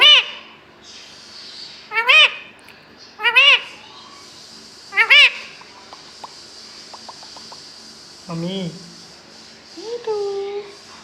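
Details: Green pet parrot, said to be talking and calling its own name, repeats a sharp, bent, speech-like call roughly every one to two seconds, then adds a few lower, drawn-out syllables over a steady background hiss.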